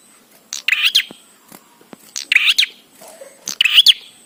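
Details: Bar-winged prinia giving lively song meant to spur other prinias to sing: three rasping, chattering phrases, each a short rattle of harsh notes ending in a twang, with faint ticks and a soft hum between them.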